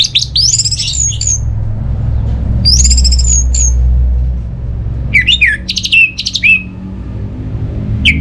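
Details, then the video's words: High, chattering trills and scratchy notes from an orange-headed thrush come in two bursts, followed by a quick series of sharp sweeping whistles, over a steady low drone. "Gak Sabar ANIS MERAH Mau Nyaut Gacor"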